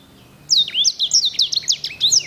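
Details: Singer canary of the Edel/Herda sanger type, whose song is described as having beautiful, luxurious rolls. After a short silence, a continuous run of crisp, high, rapidly repeated swooping notes.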